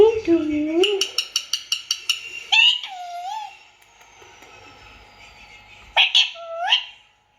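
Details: Indian ringneck parakeet opens with low wavering notes and a quick string of clicks, then gives drawn, bending harmonic calls, a pause, and a final pair of rising squawks.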